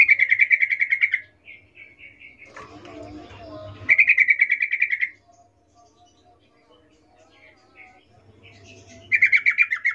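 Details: Yellow-vented bulbul calling in the wild, an active bird. Three separate bursts of rapid, buzzy repeated notes, each about a second long, come between quiet gaps with a few soft short notes and a brief rustling noise.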